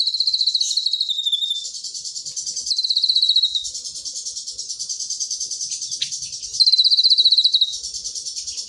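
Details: Pygmy tit delivering a dense, high-pitched, unbroken twittering song, fast chattering trills interrupted by a few louder, slightly falling whistled runs lasting about a second each.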